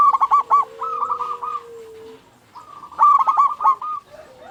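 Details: Local zebra dove in active song, used as a lure so other zebra doves start singing: a quick burst of staccato coos leads into a rolling trill, a long low steady tone, then another burst of bubbling notes.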